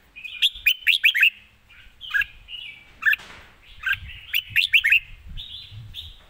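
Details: Red-whiskered bulbul song performed live with crisp, quick phrasing: clusters of clear rising and falling whistles, a brief rustle midway, then more bright notes and a drawn-out warble at the end.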